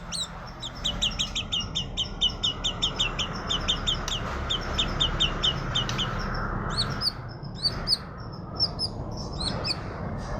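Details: Magpie-robin in suara kuntilanak (ghost voice) style: long runs of rapid, clipped high notes, then scattered sharp whistles, set against fairly strong broadband background noise.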